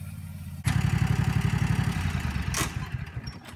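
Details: A motorcycle engine starts abruptly and idles with a steady low rumbling throb, and a brief hissing burst follows near the end; no animal sounds are heard.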